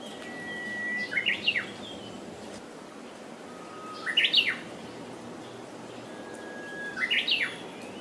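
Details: Japanese bush warbler singing its hokekyo song: a long steady whistled note followed by a quick rising-and-falling warbled flourish, three phrases repeated about every three seconds against quiet background.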